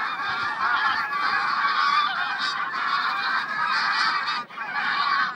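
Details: Geese in a huge flock, 3 September 2022, giving a massed wall of honking; many birds overlap in a constant clamour, with a brief dip near the end before the chorus resumes.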